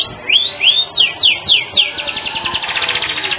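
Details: Canary (Serinus canaria), song.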